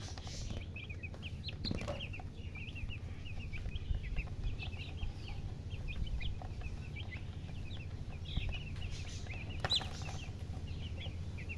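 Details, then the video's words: Young chicken chicks chirping: many brief, high, sharp peeps scattered across the recording, several birds overlapping, with a low background hum and occasional knocks. "Witty MURGI Baby "Chicks Chirping" Sound"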